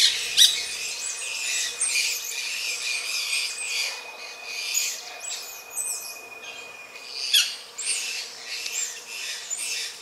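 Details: Grey-breasted parakeets during mating; bursts of harsh, scratchy high calls in clustered series separated by short pauses, with a steady thin insect-like tone running underneath.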